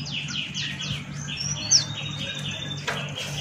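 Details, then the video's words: Buxton's white-eye, a male, in 'ngalas' song: a short series of falling chirps, then a drawn-out thin whistle and one sharp squeak, with a low hum throughout. "Burung Pleci Buxtoni Gacor Ngalas Buka Paruh"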